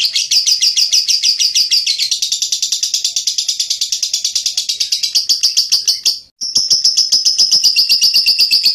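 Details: Lovebird singing loud and dense, a shrill chattering trill of rapid scratchy notes that blur into a continuous buzz, broken by a brief silent gap before the trill resumes steadily.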